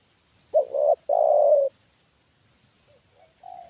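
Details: Trained spotted dove reacting to a wild bird lowered for the second time. One strong phrase of a short note then a long low coo is followed by quieter, fainter coos. A high whine pulses in the background.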